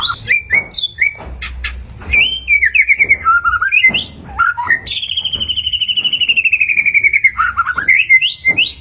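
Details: Energetic white-rumped shama in gacor style, meant to provoke caged birds into answering: varied whistles and clicks, then a long rapid buzzy trill gradually falling in pitch, ending in sweet whistled notes.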